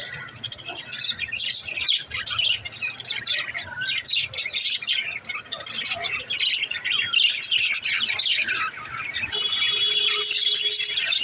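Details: Mother budgerigar in a nest pot keeps up dense, rapid, scratchy chirping and warbling at a high pitch, with a short steady tone near the end.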